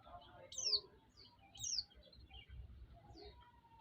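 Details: White-eye sound used as a lure to provoke other white-eyes and raise their excitement: two sharp, high, downward-slurred chirps about a second apart, then a fainter third, over low background rumble and faint chatter.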